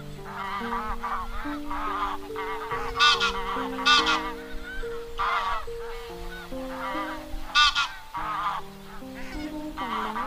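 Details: Wild goose calling its flock, used as a lure for net trapping: harsh, nasal honks in irregular bursts, roughly eight clusters over ten seconds, some doubled, over a continuous background of steady sustained musical tones.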